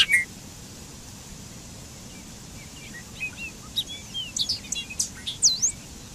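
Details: Bobolink song: a rapid, jumbled run of high metallic notes that starts sparse and builds into a dense bubbling burst of sharp rising and falling chips toward the end, over a steady background hiss.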